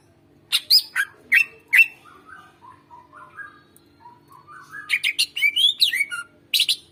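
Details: Greater green leafbird song used as a master recording to prompt silent birds to sing: sharp loud chirps, then a soft run of low rising warbled notes, then a burst of fast varied whistles and harsh notes; faint steady hum beneath.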